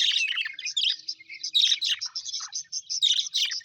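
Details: Several happy pet budgerigars, an Australian parrot, chattering busily: rapid bright chirps and scratchy warbled notes pour out without pause, with louder clustered bursts around the middle and again toward the end.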